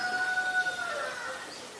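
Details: A Black-collared starling call from Ubon Ratchathani, Thailand, 17 November 2021: one drawn-out tonal note with strong overtones that holds steady, then slides lower and fades.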